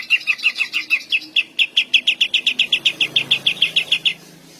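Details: Greater green leafbird in hyperactive full song with long 'tembakan' bursts, said to provoke rival males and stir breeding urge; a rapid train of about twenty-five clear whistled notes, evenly spaced, ending abruptly.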